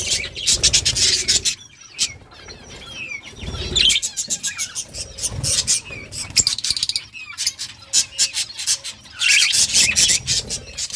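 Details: Budgie colony in the summer breeding season, playing and chirping: continuous busy warbled chatter of many birds, fast clicks and squeaky notes in waves, with short lulls and soft low rumble.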